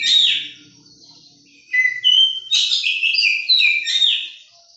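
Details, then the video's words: Captive juvenile oriental magpie-robin singing a brief whistled note, then after a pause a fast string of varied clear whistles that rise and fall, some sweeping upward, in a quiet room. "Seting rawatan Kacer giras agar jinak dan bunyi"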